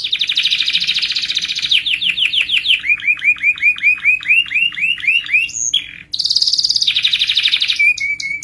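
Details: Canary singing a long rolling song used as a lure for other canaries: a buzzy trill turns into a long series of repeated upswept whistles, then a brief gap and another bright roll.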